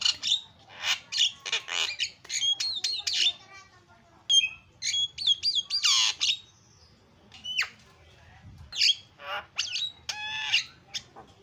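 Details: Javan myna pouring out a long, varied chatter: rapid clicks, bright whistles, squeaky rising notes and rasping squawks in bursts separated by short pauses.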